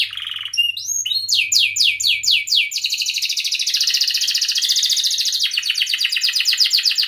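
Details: Canary song used to prompt young canaries to learn and sing: a long, loud, varied run of fast downswept notes flowing into sustained buzzy trills, with very rapid rattling repetition throughout.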